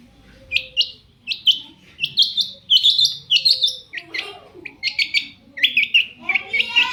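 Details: Long-tailed shrike singing to provoke other shrikes into answering, with rapid bursts of high varied chirps and short trills and a faint low hum behind.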